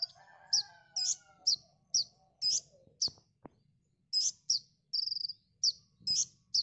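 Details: Konin tembakan song on a masteran training recording. High, sharp notes repeat about twice a second, with one short buzzy rattle, a few clicks and a faint low hum.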